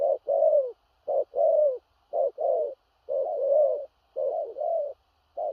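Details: Large-bodied spotted dove giving a powerful 'thổ rặc' cooing style with stuttering 'gù cà lăm' coos: low, hollow, slightly rising-falling coo notes in short bursts and longer phrases, about one phrase per second, in a quiet setting.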